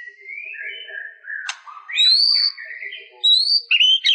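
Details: Soft whistled notes from a white-rumped shama, a sharp click, then louder clear whistles that climb high, with short bursts at the end.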